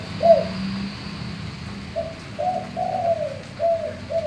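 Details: Male spotted dove singing in the deep gembur or bongor manggung style, kept as a lure to set other doves cooing; one short coo, a pause, then a run of mellow slurred coos.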